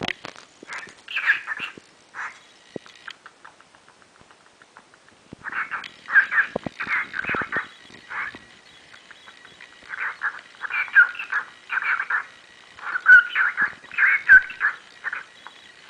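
Cockatiels give bursts of harsh, chirping calls in uneven clusters, with quiet pauses between.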